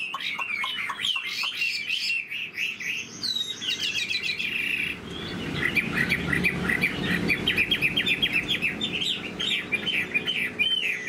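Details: Tame caged Chinese hwamei with a yellow beak, caged about three years, singing a long continuous stream of varied whistles, trills and chirps at midday, with a faint low rumble in the second half.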